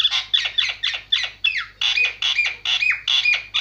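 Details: Javan myna song: loud, squawky, slurred notes repeated steadily about three per second, each a harsh downward-falling chatter with a squeaky whistle inside.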